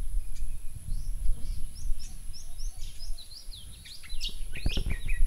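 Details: Comb-crested jacana (Irediparra gallinacea), an adult with newly hatched chicks at Fogg Dam near Darwin, Northern Territory, Australia, gives thin, high squeaky chirps a few times a second, growing busier, over low wind rumble; finding: Comb-crested jacana.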